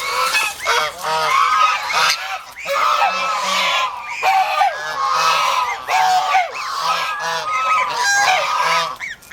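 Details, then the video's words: Domestic geese (gangsa), a protective flock kept as farm poultry and guard animals in the Philippines, honking loudly and harshly in overlapping bursts of many birds at once, with short pauses between the bursts. "ang Piso na Gangsa with over protective minions"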